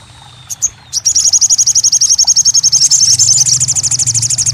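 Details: Crested jay meant to get a muted bird calling again. A couple of soft chips, then a steady, piercing rapid trill that keeps going to the end, with low background hum.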